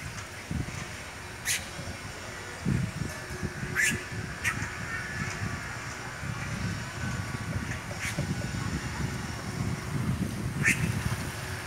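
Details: Red-rumped cacique at its nests hanging in trees in a town square; sharp, bright bursts sound at intervals of about one to four seconds over a steady low rumble of traffic and voices.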